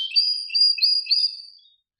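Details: Short, pure sustained whistled tone from a canary, wavering slightly and fading out after under two seconds.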